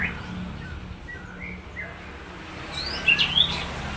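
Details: Murai batu of Supak stock in 'roll tembak' song: soft scattered whistles at first, then a louder burst of high, sharply rising whistled notes near the end, over faint background noise.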